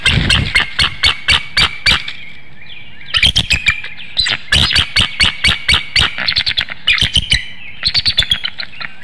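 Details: Two bald eagles call at dawn on 13 March 2019 at a nest in Hanover, Pennsylvania, as the male comes to take over incubating from the female. Nest webcam. Loud rapid staccato chattering in bursts of clipped, shrill notes, about four per second.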